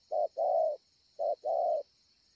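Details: Spotted dove, a 'bổi ngực sẹo' with excellent cooing, recorded at Ngọc Hồi on 25 March 2020: two low hoarse coo couplets, each a clipped note followed by a longer one, under a constant high insect drone.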